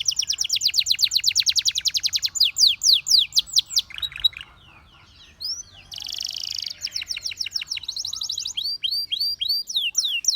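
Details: Canary in full song: a rapid, evenly pulsed trill, rolling falling slurs, a brief quiet pause, then a dense buzzy burst and more trills and swooping notes.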